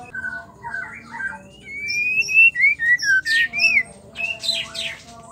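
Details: Female white-rumped shama song meant to stir males into singing: clear slurred whistles gliding up and down in a quick series, broken by two harsh, noisy squawks, with a steady low hum behind.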